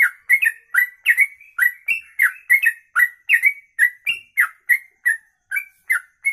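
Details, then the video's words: Long 'kongslet ropelan' song of a sooty-headed bulbul, recorded as a tutor for other birds: lively string of bright, liquid, downslurred whistles, evenly paced with brief gaps, clean background. "Trucuk Kongslet Ropelan Panjang"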